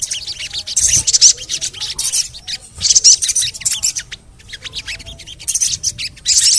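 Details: Little spiderhunter (sogon) lure calls: bursts of shrill, high chirping separated by brief pauses, with a short quiet gap near the middle.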